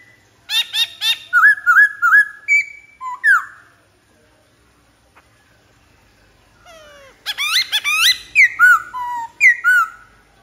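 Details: Black-throated laughingthrush song: loud clear whistled phrases with slurred rising and falling notes and buzzy chatter, delivered in two rapid bursts separated by about three seconds of silence.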